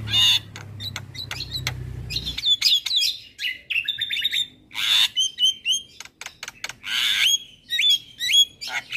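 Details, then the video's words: Javan myna, a champion master recording meant to teach other birds, singing very actively: bright whistled notes, rising and falling slurs and dry clicks in quick varied phrases, with a low rumble in the first two seconds. "Jalak kebo Gacor Parah Bikin Burung Lain yang Dengar Ikut Bunyi - Masteran Jalak Kebo Juara"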